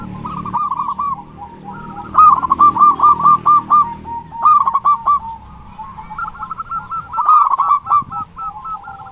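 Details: Loud-voiced local Zebra Doves in full song, used to provoke quiet doves into singing: continuous rapid bubbling coos in long rolling runs, rising and falling in loudness, with several birds overlapping and a low murmur underneath.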